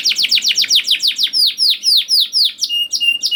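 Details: Canary song used as a lure for young canaries, a rapid series of downward sweeps that slows into longer swoops, ending in a steady buzzy whistle.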